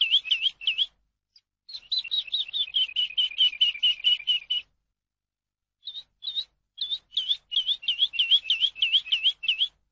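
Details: Eurasian skylark tutor song for captive birds. Repeated trills of V-shaped notes run for several seconds, pause, then resume as a slower and then faster note series.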